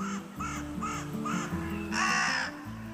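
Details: Carrion crow in Spain at the foot of the Pyrenees in springtime, giving four harsh, rasping caws about half a second apart, then a longer, louder caw, over a steady orchestral music bed.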